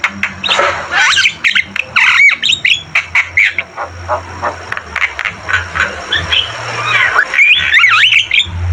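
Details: Javan myna (jalak kebo) singing energetically for cage-bird training: dense sequence of scratchy chatter, sharp clicks and short whistled squawks, ending in looping rising whistles, over a low background hum.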